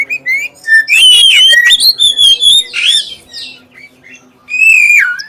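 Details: Clear lure song from a black-chested oriental magpie-robin, meant to set other magpie-robins singing: sweet rising whistles lead into a fast sequence of slurred notes, a short lull, then a long falling whistle.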